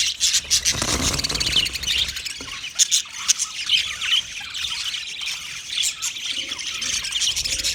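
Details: A group of budgerigars keeps up a high, scratchy warbling chatter, punctuated by short sharp chirps and squawks, busier at the start and steadier later.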